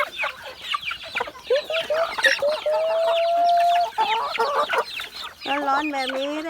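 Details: Several chickens being fed chopped banana stalk cluck busily in quick, uneven bursts, with one long, drawn-out nasal call in the middle and a rising squawk near the end; a woman speaks briefly.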